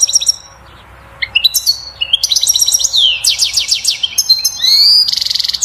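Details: European goldfinch in full 'batbata' song meant to stimulate a female toward mating and nest building: dense tinkling twitters and rattles, a rising whistle, then a harsh buzzy trill at the end.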